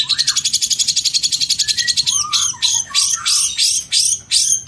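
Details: Long-tailed shrike in 2022 training material of a full fill-in song: a rapid even trill of about twenty pulses over a low rising whistle, then slower downslurred whistles each followed by a scratchy burst.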